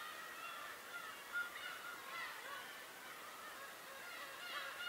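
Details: Many birds calling together on Tobishima: layered, harmonic, mewing cries overlap throughout, with a few louder calls rising out of the steady chorus.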